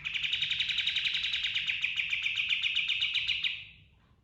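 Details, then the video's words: Pied triller 'ngerol' roll: a continuous, fast, regularly pulsed high trill of about three and a half seconds, steady in pitch, then fading out. "Suara Burung Kapas Tembak Ngerol & Nembak Full Isian"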